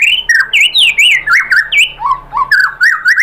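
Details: Loud, varied whistled phrases from a white-rumped shama, used as lure song to provoke other shamas into singing. Swooping up-and-down whistles are delivered in quick succession, almost without pause.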